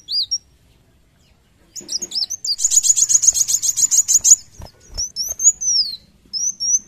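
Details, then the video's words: Sunbird known locally as kolibri wulung in energetic song, high squeaky notes leading into a rapid string of sharp piercing chirps, followed by thin rising-and-falling whistled slurs, recorded close with almost no background. "Kolibri wulung gacor narung handal"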